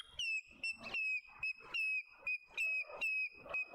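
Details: Male African grey hornbill calling in a suburban garden in Pretoria, South Africa, a high soprano voice: clear, slightly falling whistled notes, each held briefly, given about once a second, with soft clicks and rustles between them.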